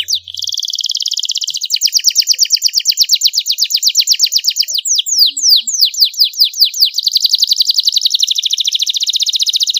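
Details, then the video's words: Young canary singing a long-duration master song in the luxurious cengkok style with a clear voice, used to train other songbirds: high buzzy trill, then a run of fast descending sweeping notes, ending in a dense rapid rattle. "MASTERAN KENARI PAUD CENGKOK MEWAH SUARA JERNIH DURASI PANJANG"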